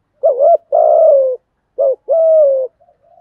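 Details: Cock and hen spotted doves give 'thúc gù' coos to stimulate birds in training. Two low, soft phrases: each a quick undulating note followed by a longer steady coo that slowly drops. Faint trailing coos end the clip.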